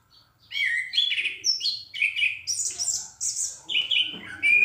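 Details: Loud, clear singing from an orange-headed thrush, delivered in quick whistled phrases that jump between middle and very high notes, several phrases sung twice, with brief chattery notes between.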